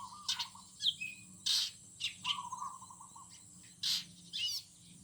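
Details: Birds singing in a morning garden: sharp, high chirps and short buzzy notes alternate with a lower, fluttering warbled phrase lasting about a second. Several strong chirp bursts close the sequence.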